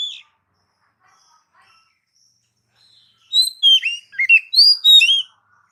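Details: Oriental magpie-robin, used to stimulate pet magpie-robins, delivering a brisk two-second burst of varied swooping whistles and chirps after a short note and near silence.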